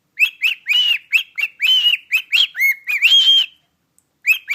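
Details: Whistling a "Jingle Bells" melody to its owner, a pet cockatiel gives a long string of short clipped notes and held arched tones, pauses briefly, then starts again.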